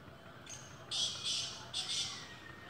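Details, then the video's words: Black francolin calling in its first season: a short harsh note followed by two longer rasping, grating phrases in quick succession, set against a faint steady background hiss. "Kala teetar ki awaz"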